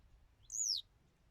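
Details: Single Western yellow wagtail note: a piercing, high whistle that rises briefly, then sweeps down over a third of a second, against near silence.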